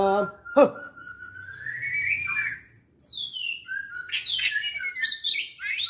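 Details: White-rumped shama, kacer Aceh, dated 24 December 2022: a sharp click, then a long rising whistled glide, a brief silence, a descending slur and a busy run of high varied phrases, with a low hum behind.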